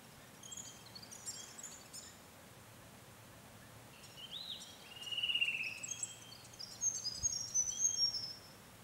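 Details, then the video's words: Grey fantail in natural woodland of a Capertee Valley conservation property, NSW, late May or early June 2020, singing thin, high squeaky chirps and twittering phrases with a brief sliding note midway, over soft bush hiss. "Enchanting Grey Fantails"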